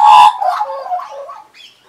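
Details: Australian magpie, one of the wild regulars that perch on a person's arm and knee, recorded in 2015, gives a loud opening note, then a rapid run of mellow, fluted warbles that wander and fall in pitch before trailing off.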